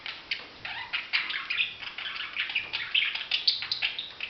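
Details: Soft budgerigar chirping and warbling, a busy series of short squeaky notes and small rising whistles over a quiet background.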